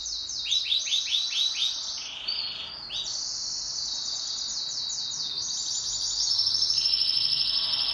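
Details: Pet canary singing in duet, a continuous high rolling song of rapid repeated trills and chirps, with looping swept notes and buzzy rolls shifting between phrases.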